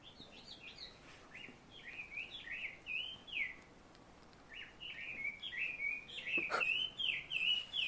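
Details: Unidentified bird whose call sounds like "barbecue": a series of short slurred whistled notes, rising then falling, repeated about twice a second, fainter in the first half and louder later, with one sharp click and light outdoor background noise.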